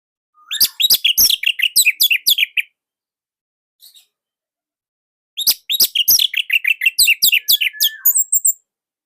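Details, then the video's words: Orange-headed thrush from Indonesia in nonstop, tight, loud song used to prompt other thrushes to sing; two long bursts of rapid, dense chirps and twittering notes with a short quiet gap between. "Kicaumania Anis Merah Indonesia//Gacor Nonstop."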